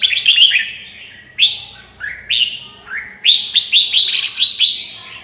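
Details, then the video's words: Song of a red-whiskered bulbul: clear upslurred whistles repeated in quick succession, building into a run of chirpy, bubbling notes toward the end. "TIẾNG CHIM CHÀO MÀO HÓT"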